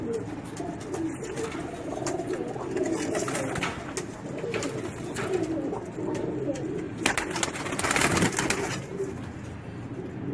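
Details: Low, continuous cooing from a group of racing pigeons, with scattered clicks and a noisy flurry toward the end.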